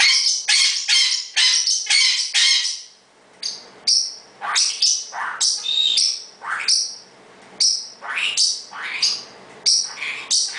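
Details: A male pet parrotlet, asserting he is in charge, gives rapid, shrill, rasping chirps at about two to three a second, in loud bursts with brief pauses.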